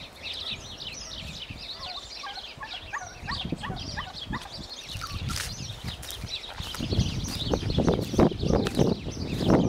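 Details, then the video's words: Turkeys in a territorial fight, a burst of quick repeated yelps amid high twittering of other birds, then loud scuffling and thumping. "guajolotes peleando o changorgos"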